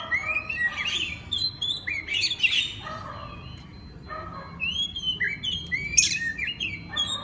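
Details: Master song of an Oriental magpie-robin for tutoring other magpie-robins: repeated bursts of sliding whistles mixed with short harsh chirps, with a brief quiet gap midway and faint room hum.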